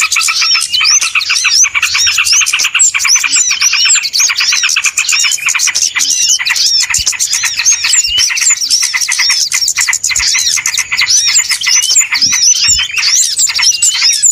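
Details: Long stretch of a lure recording for trapping small birds: steady dense chorus of high chirps, buzzy twitters and repeated short whistles, many birds at once, barely any gaps.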